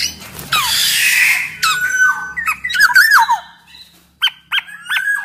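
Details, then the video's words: Black-naped oriole song intended as a lure for other orioles: a harsh nasal rasp opens, then mellow wavering whistles and three short fluty notes repeated near the end. "PODANG MAS GACOR kicau suara burung kepodang"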